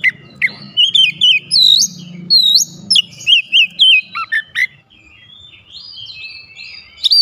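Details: Song of a White-rumped shama (kacer): a string of loud, clear whistled notes repeated in quick succession with wavering slurs, then softer trailing warbles, low hum underneath.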